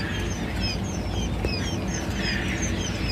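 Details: Quail chicks recorded on 15 February 2021, giving thin, high repeated peeps with short downward slurs. The peeps overlap in quick irregular succession over a steady low rumbling background noise.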